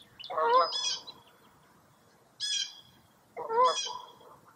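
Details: Three loud, hoarse calls from a wild bird, about a second apart and each ending in a higher rasp, at Mirror Lake State Park in Baraboo, Wisconsin, on a foggy early April morning.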